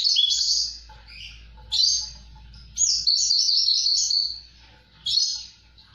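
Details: A Javan bush lark sings vigorously (gacor), giving drawn-out high buzzy warbles, one lasting nearly two seconds, between short sharp bursts; a low hum runs throughout.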